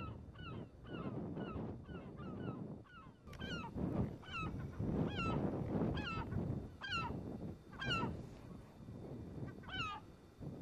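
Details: A small flock of Emperor geese on an island in a marsh in central St. Lawrence Island give short, nasal, high honks about twice a second over a steady rumble of wind or surf; later sharper calls are not Emperor geese.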